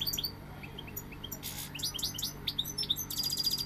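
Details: Goldfinch song in a short burst of bright tinkling chirps and liquid twitters, a harsh buzzy note in the middle, ending in a fast high trill over a low steady hum.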